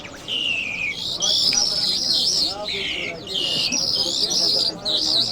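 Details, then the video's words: Lark singing in a style called Mashhadi mast: a continuous stream of clear, sliding whistles, some falling, others wavering high, with only brief pauses between phrases. "Lark Sounds | صدای طرقه، مشهدي مست"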